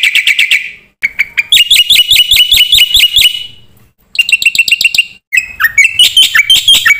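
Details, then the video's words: Black-winged myna (jalak putih) song made of bursts of rapid, harsh ringing notes separated by short gaps, ending in varied buzzy, slurred phrases. "suara burung jalak putih gacor full isian"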